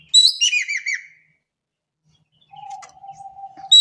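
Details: Indonesian Javan kingfisher giving one loud burst of five quick, harsh, hooked notes, followed by silence, then a long steady low whistle and the start of another burst.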